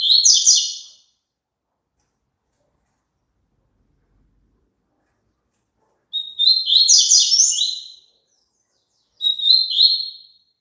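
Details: Double-collared seedeater song played so a caged bird sings along: three bursts of bright, rapid twittering and buzzy warbled notes high in pitch, separated by long silences, the last burst short.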